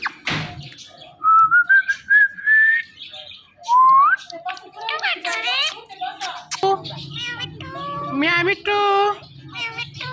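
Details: Talking parrot kept as a pet, mixing clear rising whistles with busy, speech-like babble of many short syllables in a small room, with a low hum underneath.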